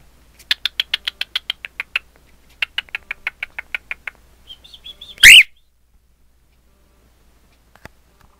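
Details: Pet cockatiel, a male, calling while looking at itself in a mirror: two bursts of rapid, evenly spaced high chirps, about seven a second, then soft twitters and one sudden loud harsh screech.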